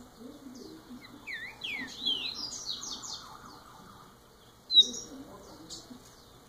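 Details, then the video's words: Softer passage from a first-year young double-collared seedeater: a series of descending and rising whistled notes building into rapid high twitters, then a louder sharp note near the end. "COLEIRO NOVINHO MAIS TOP 1¤ ANO DE VIDA"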